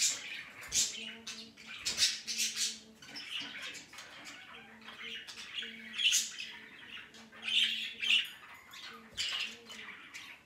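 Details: Pet budgerigars playing together indoors: a busy mix of warbling chatter, scratchy squawks and bright chirps rising and falling in loudness, with a faint steady hum underneath.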